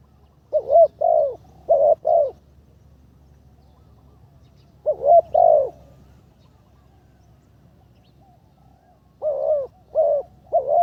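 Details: Spotted dove used as a ground decoy, on its third training session and improving, gives three low double-note coo phrases about four seconds apart over a faint low hum.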